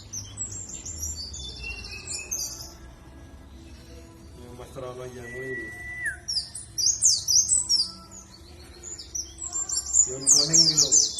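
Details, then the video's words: Dakun-type warbling white-eye from Bondowoso, East Java, as a singing lure: high twittering chirps at the start and a busy burst of sliding notes later, with a human voice and a lower whistle in between. "Pancingan Pleci Dakun Jatim Bondowoso supaya ikut bunyi"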